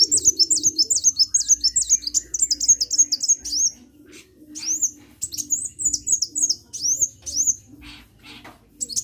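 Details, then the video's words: Sunbird singing vigorously: rapid high, thin chirps and downslurred whistles repeated in quick bursts, several notes per second, a brief pause near four seconds, then more scattered sharp high notes. "KICAU BURUNG KOLIBRI GACOR"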